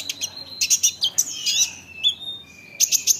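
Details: Olive-backed sunbird song played to provoke other sunbirds: high sustained whistles and dropping slurs mixed with clusters of sharp chips, ending in three bright ticks.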